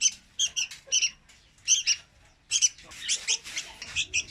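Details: Juvenile Red-whiskered bulbul serving as a lure for trapping, singing clipped, lively twittering bursts in small groups, a pause after the first phrases, then a denser, more jumbled chatter toward the end.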